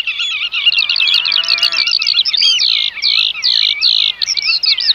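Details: Eurasian oystercatchers calling: dense, overlapping high piping notes, some sharp and others in quick trills, run without pause. A lower, harmonic rasping sound slides downward in the first two seconds, then stops abruptly.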